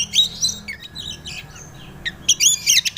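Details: Short Oriental magpie-robin lure phrase for young untrained birds: a couple of bright whistled notes, a brief hush with soft chirps, then a loud quick cluster of high, ringing notes.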